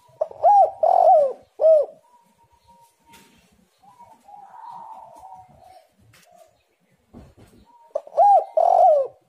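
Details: Spotted dove singing, recorded as a lure to get other doves to sing. Loud three-note phrases of low, rounded, arching coos open and close the recording, with quieter murmuring tones and a few clicks between them.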